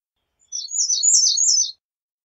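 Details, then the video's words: One American redstart song variation: a jumbled run of high, slurred two-part notes bouncing up and down for over a second, fairly loud and even throughout, against silence. "American Redstart Singing - Candelita Norteña Cantando"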